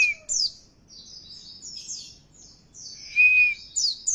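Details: Oriental white-eye lure song to spur singing: high, thin chirps and slurred trills, mixed with a clear, lower steady whistle and a few sharp, rising high notes near the end.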